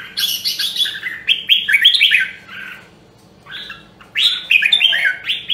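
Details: Rare Nam Đông, Huế voice of a red-whiskered bulbul, used to train singing: two dense bursts of loud warbled, chirpy whistles with a clear silent gap between them, over a low hum.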